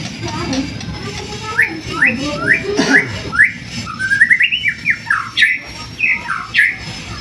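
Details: White-rumped shama singing, played to provoke other birds into song: a string of short rising whistled notes, repeated about twice a second, then a twittering rising run and more sharp upslurred whistles over a steady background hum.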